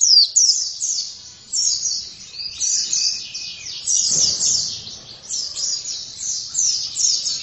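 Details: Oriental white-eye singing vigorously: a rapid, unbroken stream of high, thin twittering notes jumbled into a dense warble with only brief pauses, and a short low thump near the middle.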